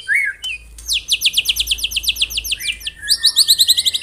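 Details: Dense rapid-fire 'tembakan rapat' singing by a white-rumped shama: a short swooping whistle, then a fast volley of about fifteen sharp, steeply falling high notes, a brief pause, and another quick volley.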